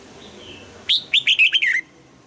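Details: Red-whiskered bulbul trained for morning singing in the double-note, mature wild-bird style, giving one lively six-note whistled phrase with rapid rising and falling slurs, ending in a drawn-out downward note.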